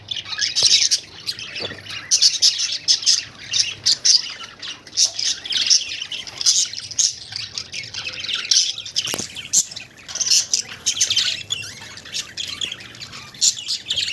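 Budgerigars keep up a busy stream of high, scratchy chirps and warbles with occasional sharper squawks.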